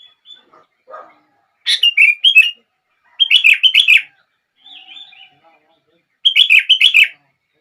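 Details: Sooty-headed bulbul giving repeated bubbly song phrases, played to make other bulbuls sing; a few soft low notes open, then three bright, chattering bursts broken by a quiet warble.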